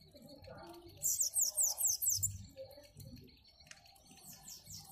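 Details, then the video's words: Bananaquit singing an unusual song: a quick one-second burst of very high, thin, sibilant notes in a rapid series, repeated near the end, with quiet human voices and faint low room noise. "Sibite Cantando Diferente"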